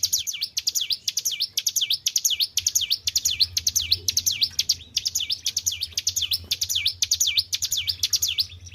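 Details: Hill prinia raised in captivity, singing hard. Quick down-and-up whistled strokes come in an unbroken series at roughly two per second, bright and high-pitched, over a low background hum.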